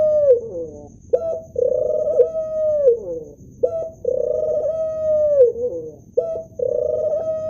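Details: Male ring-necked dove cooing: a series of low, drawn-out coos, each holding steady and then sliding down at the end. The phrases repeat about every two seconds with short pauses between them, and a faint steady high whine runs in the background.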